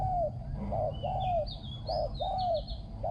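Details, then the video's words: Spotted dove cooing in the Thai decoy style, praised for a small ringing voice, good phrasing and fine coo; a pair of low cooing notes repeats about every second, while thin high whistles from another bird run above. "ต่อนกเขาใหญ่ | เสียงเล็กก้อง คารม หนุนคู คูดีมาก"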